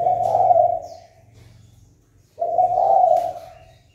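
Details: Spotted dove call to incite fighting: two long, even, low hooting coos about 2.4 seconds apart over a faint low background hum.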